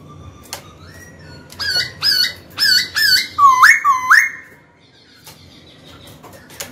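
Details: Black-throated laughingthrush in captivity, singing to challenge a rival: a run of five or six loud upslurred whistles, then lower looping notes. Quieter rustling and hum in the background.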